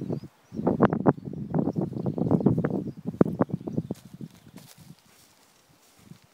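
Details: Early April black grouse in the eastern Ore Mountains, a dense run of deep rapid pulses, about four each second, fading away after several seconds to near quiet in a natural outdoor setting.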